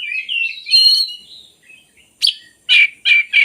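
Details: Oriental magpie-robin singing, used to stir lazy magpie-robins into song: a long, wavering whistled phrase slides up and down, then after a short pause come four loud, harsh, buzzy notes spaced about half a second apart.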